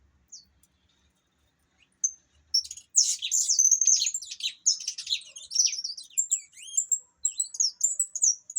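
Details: After a few isolated high chirps, an opaline saffron finch launches into a dense, continuous song of rapid buzzy and whistled notes that lasts about six seconds.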